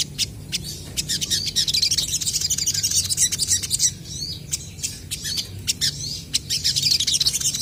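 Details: Song of crested jays answering one another: long runs of rapid, high chattering and buzzy trills broken by sharp clicks, pausing briefly, then returning in another dense burst.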